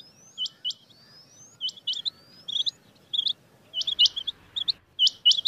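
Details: Rain quail call played to lure birds for hunting: fainter, crisp, high double and triple notes in spaced bursts, with thin rising whistles drifting between them over a quiet background.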